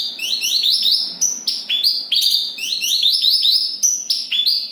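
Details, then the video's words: Javan bush lark in Kediri delivering continuous, tightly packed rolling song: bright whistled phrases repeated in rapid succession, strong and steady with almost no gaps. "Branjagan gacor ngeroll rapat."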